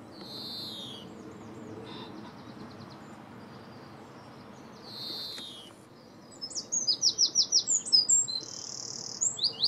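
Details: European greenfinch in Britain, filmed in 2017 while calling and feeding, giving high twittering notes, then a fast run of bright repeated chirps and a drawn-out buzzy note, over a low background hum.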